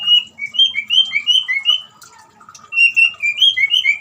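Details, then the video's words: Whistled song of a white-rumped shama used to coax a quiet caged bird into singing: quick series of clear, slightly rising whistles in two bursts separated by a softer, lower passage. "suara gemricik air dan siulan murai batu cocok buat terapi murai macet bunyi"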